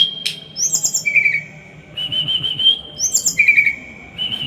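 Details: Small bird in a masteran recording of dense, rough 'tembakan' phrases: a sharp click, high chips, long level whistles and buzzy warbles, repeated twice across the phrase, over a soft low rumble.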